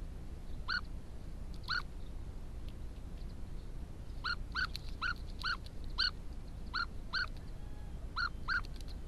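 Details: European bee-eaters building nest burrows near a house in São Marcos da Serra, Algarve, Portugal, give short rolling 'prrup' notes, singly or in quick pairs, about a dozen in nine seconds, over low wind rumble.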